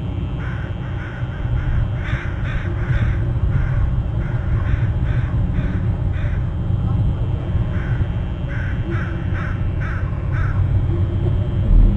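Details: An eagle at its nest on Hornby Island, October 16 around midday, gives a long run of thin, repeated piping notes in quick clusters. A heavy, constant wind-like rumble sounds underneath throughout.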